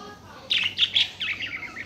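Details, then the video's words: Budgerigar chirping in a short burst of bright, high twittering notes, a few louder chirps followed by softer warbling, recorded quietly indoors. "صوت التغريد الأصلي لطائر البادجي"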